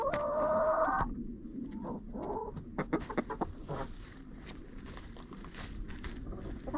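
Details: Hens in a coop, captured on a GoPro placed inside: a loud, harsh, sustained squawk for about a second opens the clip, followed by short clucks, pecking taps and steady background rustle.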